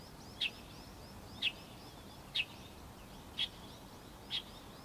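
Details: Light-vented bulbul calling: five short, sharp, high chip notes spaced about one second apart over a steady background hiss.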